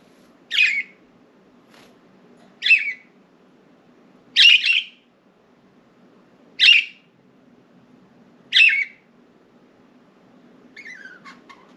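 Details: Several pet budgerigars out of their cage, perching on window blinds and flying about indoors; short scratchy chirps come roughly every two seconds, five clear ones, then a softer chattering warble at the end, over a faint room hum.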